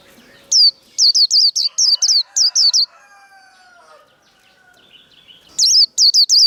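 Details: Japanese white-eye singing its 'líu đấu' fighting song, used for training cage birds. Rapid, high, repeated chirps are heard, then a pause filled by a faint, lower sliding sound, then more shrill notes.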